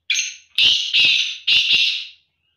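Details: Black francolin, the kala or dasi teter: loud, harsh, buzzy grating phrases, a short note and then several long rasping notes in quick succession, each fading at the end.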